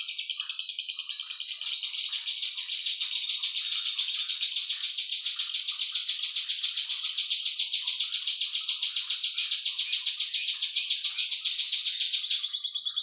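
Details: Cisaw song meant for training other songbirds, a continuous high, dense buzzing trill of quick regular pulses lasting the whole stretch, with several sharp accented notes near the end.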